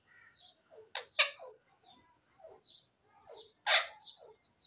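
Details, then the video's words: Talking parrots give a string of varied chirps and falling, voice-like notes, broken by sharp, loud squawk bursts around the middle and near the end. "Parrots talking very sweet and sweet"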